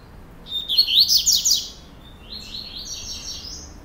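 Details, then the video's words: Procurador song of a double-collared seedeater kept by a breeder in Brazil. A loud, rapid burst of high, zigzagging chirps is followed after a pause by a softer, buzzier trill of high notes. "COLEIRO PROCURADOR"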